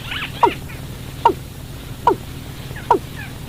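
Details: Watercock call used to lure birds into traps at night. Four evenly spaced, sharply falling notes sound under a second apart, preceded by brief higher arched notes, over low-pitched hum.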